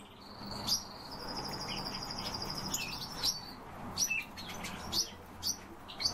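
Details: One European bee-eater gives a long, level, burry trill lasting about two seconds, followed by scattered clipped chirps and short rolling notes from nearby birds.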